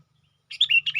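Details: Sooty-headed bulbul lure call: a rapid run of bright, slightly descending warbled notes in a half-second burst, with a low steady hum beneath.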